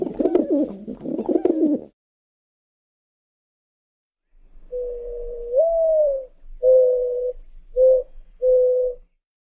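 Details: Dove cooing: after a rough, muffled opening burst and a silent pause, a run of soft, low, hollow coos follows, one slightly rising and drawn out, the rest short and evenly pitched.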